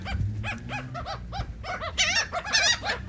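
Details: Gulls gathered over cake in Atlantic City, New Jersey, giving a rapid series of short arched kyow notes about twice a second, then shriller squealing calls joining in, with a low hum beneath.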